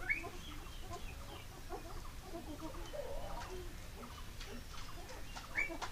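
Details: A captive ring-necked (common) pheasant at a pheasantry in Pakistan gives soft, low clucking notes in loose, irregular runs, with two brief sharp chirps over a steady low rumble.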